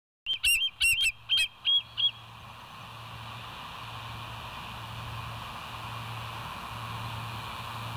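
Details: Bald eagle at the West End nest on a live nature cam, 26 September 2023 at 07:01: five loud, high, piping notes in quick succession within two seconds, then steady low hum and background hiss.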